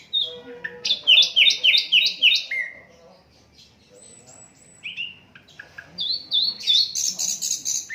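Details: Unedited song of an Asian brown flycatcher used for tutoring songbirds: a fast series of paired high chirps, a long thin whistle after a pause, then a quick rising twitter of sharp notes.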